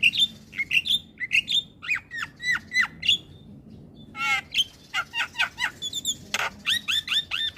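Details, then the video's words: Javan pied starling singing in the morning so young birds can copy it: clear whistled notes sliding down then up, repeated about twice a second, followed by buzzy bursts and more whistles. "Suara Kicauan jalak Kebo P{agi Hari Bikin Burung jalak Muda cepat niru Suaranya"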